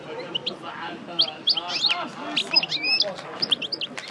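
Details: Coupleur goldfinch of the Parva kind after moult, repeating its song: intermittent high chirps and quick twittered notes mixed with low murmuring background sound.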